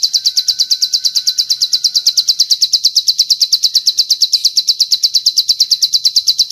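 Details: Bar-winged prinia training master with long cililin fill: a fast, even train of sharp, high-pitched chirps, about three each second, continuing without pause for the whole stretch.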